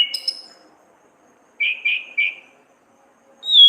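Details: Caged orange-headed thrush singing for training other birds: a short high note, a long pause, three quick slurred whistles, then a clear rising-falling whistle at the end.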